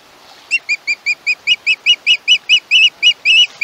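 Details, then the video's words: Fledgling-age osprey calling from the nest at Chesapeake on 21 August 2019: a steady series of about sixteen short, shrill notes, slowly getting louder and longer, from a live camera microphone. "Lil Bit is screechy! Chesapeake Ospreys."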